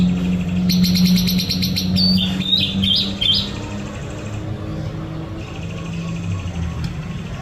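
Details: Song of a white-rumped shama out sunbathing: a bright, rapid high trill followed by several clear, slurred whistled notes, then the bird falls quiet against a low background hum.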